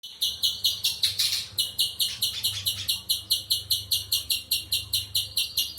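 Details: Spectacled spiderhunter giving a rapid series of harsh, high, clipped chip notes, about two to three per second, steady and unbroken, over a faint low hum.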